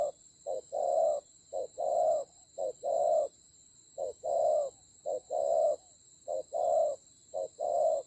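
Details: Spotted dove decoy in a fierce fight in Vietnam's Central Highland forests, 19 October 2020. It gives a steady series of about seven paired coos, each a clipped note then a longer mellow one, evenly spaced, with a constant high thin tone behind.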